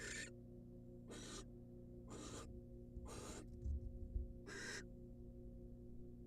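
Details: Female barn owl, wild, in a nest box after getting a rat from her mate: rough, breathy screeches of about half a second, evenly spaced, with a few soft bumps and a continuous low hum.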